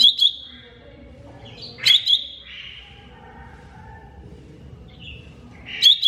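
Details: Greater green leafbird, mini type, training recording: bright doubled chip notes opening, middle and close, each trailing into a steady high whistle, with quieter slurred notes between.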